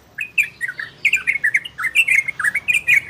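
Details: Trocokan, the orange-spotted bulbul, in ropel and garudo song, meant to bring listening birds into breeding condition: a quick run of liquid, slurred whistled notes rising and falling, about five phrases a second, clean with almost no background.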